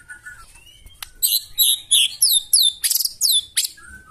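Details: White-rumped shama singing roughly to draw other birds into song, delivering about a dozen loud, high, downslurred notes in quick succession after a few soft whistles.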